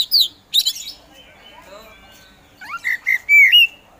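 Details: Kacer, the Oriental magpie-robin kept as a competition songbird, giving a short gacor phrase: two sharp high chips, a quiet warbled stretch, then rising sweeps and loud looping whistles.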